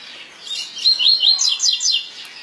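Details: Double-collared seedeater singing the "tui tui" song type: a string of bright whistled notes, several rising slurs followed by a quick run of repeated sharp notes, clean with little background.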